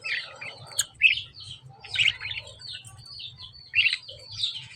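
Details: Lovebirds giving short, bright chirps in clusters about once a second, with quieter twittering between them and a low hum below.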